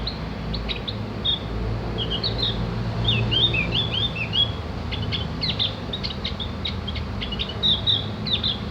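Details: Javan grey-throated white-eye, known as opior jawa or cak gentong, singing as tutor material for training birds: rapid high twitters and short slurred notes, denser in the middle, above constant low-frequency noise.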